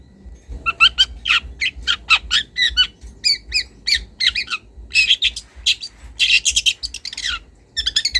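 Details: Wild young long-tailed shrike calling to a rival and starting to bring out borrowed notes: a quick series of raspy, squawking chirps, some doubled, delivered in steady rapid succession over quiet low background hum.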